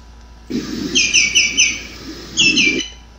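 A Common Greenshank gives clear, ringing 'tew tew tew' notes, each well separated and slightly down-slurred.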